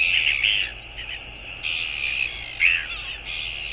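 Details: Northern royal albatross calling on 24 January 2022: harsh, drawn-out squealing notes in bursts, some rising and falling, with short pauses between bursts and a steady low hum beneath.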